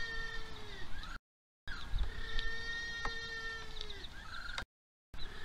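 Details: Feeding-time little blue penguin in Oamaru, New Zealand, recorded 27 October 2023, giving long steady harmonic calls that hold level and then dip at the end, with higher wavering notes overlapping and a faint low hum behind.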